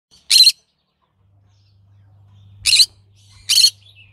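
Green-cheeked conure giving three short, harsh, high-pitched squawks, the first alone and then two close together, over a faint low hum.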